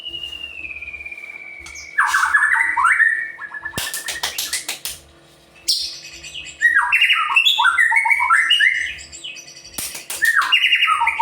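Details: White-rumped shama song, kept to provoke other birds into singing: a long sliding whistle, then rapid scratchy phrases, sharp clicks and bursts of varied swooping notes with short gaps between them.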